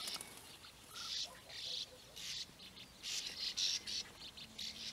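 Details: Several short, burry, high-pitched European bee-eater calls, heard near nesting burrows in the flat landscape of Puszta Eldorado. Each call is a brief purring burst, given in loose clusters with small gaps between.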